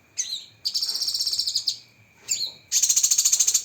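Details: Cucak kinoi song with a sharp, rapid-fire 'tembakan' fill: short whistled notes, then fast pulsed high trills of about eleven beats each, heard in two bursts over a thin, steady background tone.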